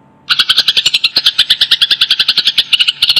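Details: Eurasian tree sparrow, apparently a fighting-type house-kept bird, gives a rapid run of harsh, high chirps, about nine a second, steady and unbroken, with no other sounds.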